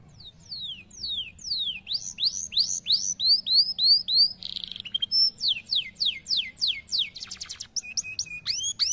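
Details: Canary song of varied tours: falling whistles, rising arcs, a brief buzzy burst, rapid descending strokes, a short low rattle, and quick rising notes, all high, bright and continuous.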